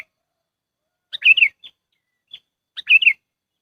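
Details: Lure call of a sooty-headed bulbul, as used for bird trapping: two bubbly chirped phrases about two seconds apart, each a quick run of falling notes, with soft single peeps in the gap; no other sounds.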